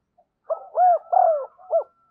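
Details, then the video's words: Decoy spotted dove calling to draw wild birds in, giving a short soft note then three hollow coos, the second drawn out and sliding down, with a faint higher tone beneath. "Chim Cu Mồi Thúc Và Gáy Gọi Bổi Nhanh Về Cội"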